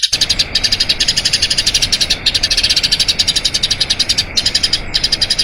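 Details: Long rolling song of a Eurasian tree sparrow, kept as a training master for other birds. Rapid high chirps pour out in a continuous stream, with a few brief pauses between runs.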